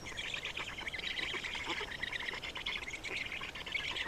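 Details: Estonian black storks feeding at the nest on 27 May 2019, with a steady wall of hoarse, wheezing, buzzy calls kept up throughout, slightly pulsing in strength.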